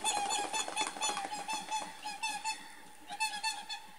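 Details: Whooper swans flying off a lake in Finland give loud, bugling, trumpet-like honks, about one a second, with several birds calling over one another.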